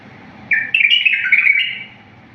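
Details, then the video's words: Wild-style bulbul song, sung clean and without faults for training young bulbuls: after half a second of quiet, a fluty phrase of linked rolling notes runs for over a second, then stops over a faint background hum. "تغريد بلبل طور وحشي، صوت صافي وخالي من الأخطاء"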